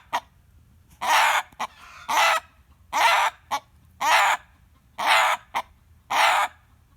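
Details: Rooster screaming, his usual reaction when a chicken cackles: a steady series of loud, harsh, raspy cries, each about half a second, repeated almost every second, with a few short clipped notes.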